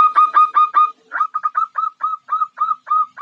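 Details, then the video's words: Female zebra dove calling to attract a male: a run of short clear cooing notes, each a brief rising-falling hoot, repeated about every fifth of a second, slightly hoarse at the start. "Suara Perkutut Betina Godain Jantan, Ampuh Pikat Jantan"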